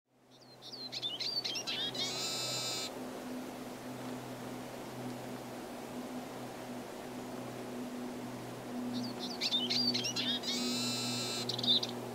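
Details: Male Eurasian siskin singing from a perch in March or April 2010: two bursts of high, rapid twittering notes, each ending in a drawn-out buzzy wheeze, about eight seconds apart, over a steady low mechanical hum.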